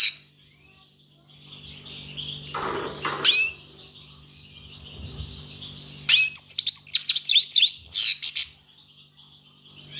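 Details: After a quiet stretch broken by a burst of rustling noise, a European goldfinch bursts into about two seconds of quick, high, jangling twitters. A faint hum persists throughout.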